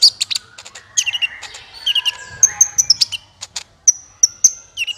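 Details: Sunbird, locally kolibri ninja, in a lure recording for trapping: scattered high chips and squeaky twitters, then a string of pure, very high ringing notes repeated at roughly half-second intervals.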